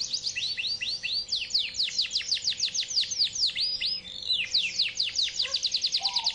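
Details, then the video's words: Long Yorkshire canary song aimed at finding a rival, made of rapid downward-sweeping high notes repeated many times a second with brief tempo changes and a few low whistles near the end. "KENARI YORKSHIRE GACOR PANJANG GAYA NGAWET MENCARI LAWAN"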